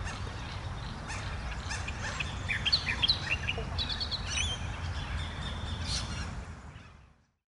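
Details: Reed warbler perched in thick reeds at a large pond's edge, Shankland Wetlands, Woodlands Historic Park, Greenvale, gives a quick, scratchy run of chirps and churring notes; a second reed warbler calls from a bush opposite, possibly near a nest.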